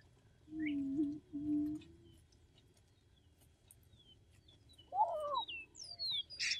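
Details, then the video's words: Attwater's prairie-chicken, an endangered bird, gives two low, resonant booming hoots in quick succession, each about half a second long. A higher squawking note and scattered bird chirps follow. "Attwater's Prairie-Chicken booming"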